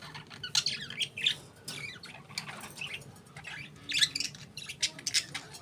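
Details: Several budgerigar parakeets chatter softly in bursts of thin, scratchy chirps and squeaks, with short pauses and a steady low hum underneath.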